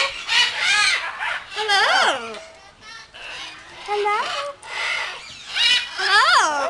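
Yellow-naped amazons chatter in rough, voice-like phrases with swooping rising and falling notes, several bursts overlapping across a few seconds.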